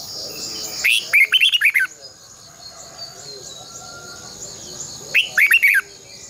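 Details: Red-whiskered bulbul competitive singing, long twisted double-voice style, used as a decoy to spur caged birds: two brisk phrases of warbling whistled notes about four seconds apart, over a steady high whine.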